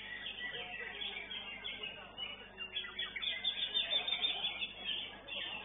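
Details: A greater green leafbird at a songbird singing competition arena pours out a fast, varied stream of sharp chirps and whistled phrases, with other singing birds and crowd murmur behind it.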